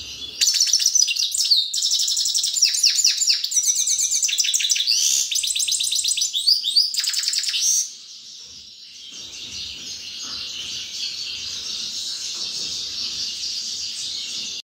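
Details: Grey-crowned goldfinch singing a rapid, high twittering song of buzzy, chattering notes and short trills for about seven seconds, then falling silent, leaving only a faint steady hiss.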